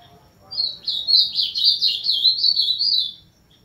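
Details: Ultramarine grosbeak song: a fast, rich warble of slurred whistled notes lasting almost three seconds, rising and falling in small steps, with a quiet background.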